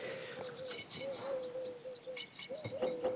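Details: At Doñana, Spain, on the morning of 3 February 2023, a Eurasian collared dove's low, hollow cooing drifts steadily in the background while small birds add thin chirps and twitters over it.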